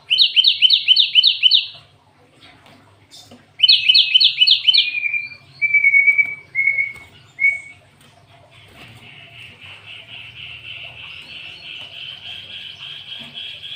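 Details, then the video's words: Cinereous tit with canary-song filling: two fast rattling trills, then several short whistled notes falling in pitch, ending in a long steady buzzing trill. "Burung gLatek watu full isian kenari"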